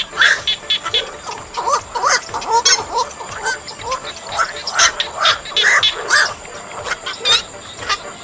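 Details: Harsh barking calls of black-crowned night herons, a sound used to lure birds into nets, coming in quick, uneven clusters of rough croaks, some overlapping as if from more than one bird.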